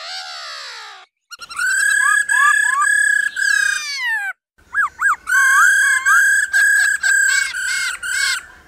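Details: Laughingthrush female uttering 'ro ro' to stimulate males: a falling harmonic whistle, then a run of loud level notes with repeated upward-hooked slurs, a short break, and more bouncing whistles and sustained rich tones.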